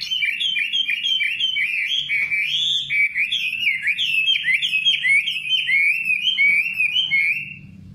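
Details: Nightingale singing a continuous run of varied, rapid phrases: slurred whistles and quick rising-and-falling notes packed closely together at a bright high pitch for about seven seconds, then fading.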